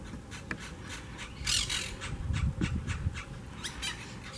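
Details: Wild Monk (Quaker) parakeets at a colony twig nest in a palm tree by the beach in Southwest Florida give harsh, raspy squawks in quick, uneven bursts, several per second, over a steady low rumble of wind or traffic.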